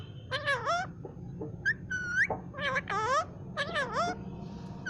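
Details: Pet parrot taught by the owner's mother to say "mian mithu Allah ho", uttering bent, nasal, speech-like syllables that rise and fall, with pauses and a steady low hum behind.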